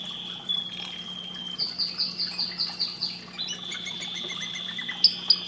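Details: Canary song for stimulating breeding, with long high whistled tones leading into a series of rapid descending notes and a sustained trill, soft against a faint constant hum.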